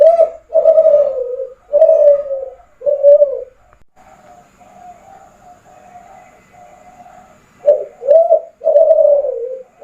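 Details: Derkuku of the Kelantan type, a spotted dove, calling actively: several loud, low, throaty coos that fall slightly in pitch, then a softer stretch of faint, steady cooing, then more strong coos.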